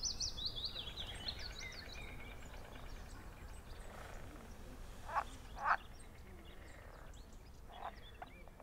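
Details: A Eurasian coot on a pond in a Münster nature reserve in spring gives two sharp, explosive calls about half a second apart, over a steady hiss with high, thin twittering from small birds.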